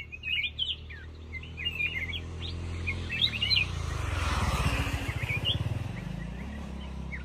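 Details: Black-crested bulbul singing short, bright, warbled chirps in quick uneven bursts, with a vehicle rumble swelling midway.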